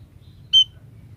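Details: A single short, piercing high note from a female munia, a call meant to bring males closer, standing alone against quiet low background noise.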